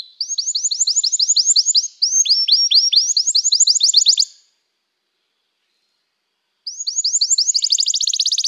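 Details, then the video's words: A canary delivers two loud runs of quick, high, repeated chirps, each about two seconds long. After a pause of roughly two seconds, a third fast trill begins and grows denser toward the end. "toque imediatamente este encantador som de canário"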